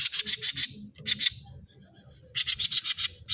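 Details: Lure recording of a grey-cheeked bulbul: fast, high, staccato chirps in short runs, broken by a thin sustained whistle-like note, then another rapid run of sharp notes, with low background hum.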